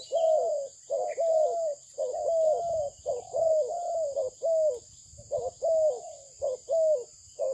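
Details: Malaysian spotted dove, bred for its voice, giving a long run of mellow coos, short and long notes alternating roughly once a second, with a faint low rumble and high hiss behind.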